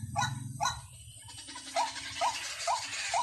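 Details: White-breasted waterhen call used for luring: two loud opening notes, then four quick rising squeaky notes spaced about half a second apart over a hissy background.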